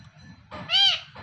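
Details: Talking pet parrot, hand-tame and kept indoors, uttering one nasal meow-like cry that swells and then tails off, over a soft low background hum.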